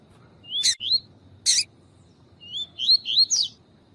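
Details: Male double-collared seedeater of the tui-tui style with a chirping female meant to fire him up; upslurred whistled notes, paired then in a quick run of four, broken by two loud broadband clicks over faint background noise.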